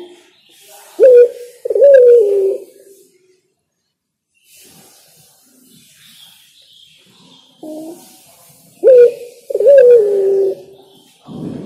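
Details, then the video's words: Spotted dove singing two similar phrases about eight seconds apart, each a short low coo then a longer coo that wavers and falls, with soft higher chatter between. "Suara Burung Derkuku Yang Enak Dan Nyaman didengar Burung Tekukur Bernyanyi"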